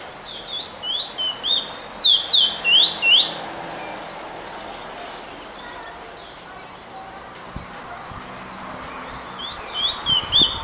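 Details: Finch song: a rapid series of high, bright, downslurred chirps repeated about three per second at the start, then quieter background, with another short burst of chirps at the end.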